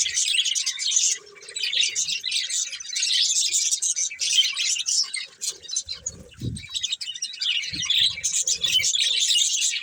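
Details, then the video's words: Continuous warbling chatter from a breeding pair of colourful budgies, bright scratchy chirps rising and falling in waves, briefly quieter near the start, with a dull thump around the middle. "Colourful Budgies Chirping Sounds"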